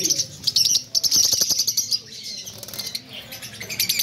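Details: Several pet lovebirds, small sociable parrots, giving rapid high-pitched chirps and squeaks in a busy overlapping chorus, with some wing flutter among the calls.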